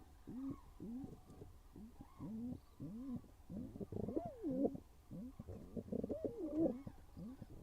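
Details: Pigeons courting in a nest box on a birdcam: short low coos repeated, then louder swooping, rising-and-falling coo phrases in the middle and near the end, with faint shuffling in the enclosed box.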